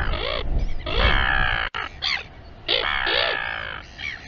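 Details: Royal albatross at Taiaroa Head, Dunedin, New Zealand, uttering groaning harmonic calls with arched, wavering notes, with low wind rumble in the background.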